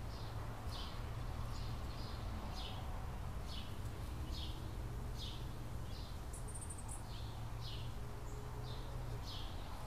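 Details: In 2017 a California scrub jay pair raises three chicks at a nest in the same tree as before; a long sequence of brief, high, falling notes repeats roughly every half second over low rumbling noise.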